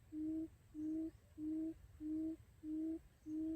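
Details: Decoy quail for trapping utters six deep, hollow hoots, each a steady low tone lasting about a third of a second and spaced evenly at roughly 0.6-second intervals. Background is quiet apart from a faint hum.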